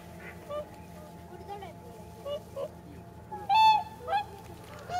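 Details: Nearly 300 whooper swans gathered on a Nagamine pond, Nishiyama-machi, Japan, ahead of migrating north; soft distant calls build to a loud, ringing trumpet honk followed by two more bugling notes, with a steady hum in the background.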